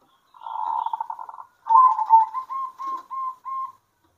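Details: Local zebra dove song at midday with birds answering each other: a buzzy rolling trill followed by a series of clear, tonal, slightly bent notes repeated quickly.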